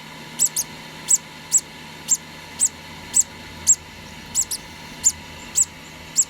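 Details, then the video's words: A two-day-old conure parrot chick, hand-fed, gives rapid high squeaky peeps, several as quick doubles, about fifteen in six seconds, over soft low background noise. "2 day old hand feeding conour parrot"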